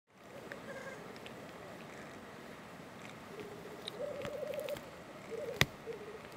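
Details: A male black grouse (Lyrurus tetrix) eating crocuses during the lek gives low, dovelike bubbling, rolling in rapid pulses for about a second at a time, over a steady background hiss with one sharp click.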